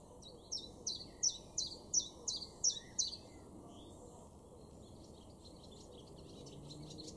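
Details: Common chiffchaff song in a garden in Weener, East Frisia, northwest Germany, in May 2022: a run of about eight sharp, high, down-slurred notes at an even pace, then fainter distant bird notes over steady low background noise.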